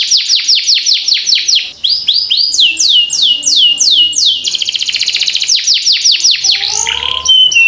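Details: Canary song used to train young canaries to sing quickly; a run of evenly spaced downward-slurred whistles, then a dense buzzy trill and faster rattling notes, ending with lower slurred tones.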